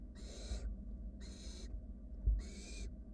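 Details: Wild barn owl nestlings in a nest box, cuddling as a sibling takes its time swallowing a rat; three long, raspy hissing snores about a second apart above a constant low rumble and a brief knock.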